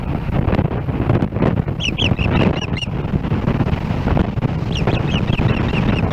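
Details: Osprey at a nest in Hellgate Canyon, Missoula, Montana, on July 4, 2016, calling as another osprey approaches. A nest camera catches a burst of sharp, high whistled chirps, then a second series, over a constant low rumble.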